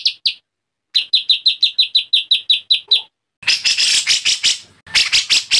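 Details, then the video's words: Agitated white-rumped shama song: a short pair of high notes, then a run of about a dozen quick, evenly spaced sharp chirps, ending in dense, loud, rapid bursts of bright, harsh notes with brief pauses between. "MASTERAN MURAI BATU GACOR ! LANGSUNG NYEMPLONG & EMOSI !!!"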